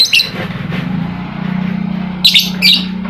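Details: Lovebird lure for birds that will not sing: a few sharp chirps at the start, a droning hum in the middle, then two quick shrill, squeaky notes at the end.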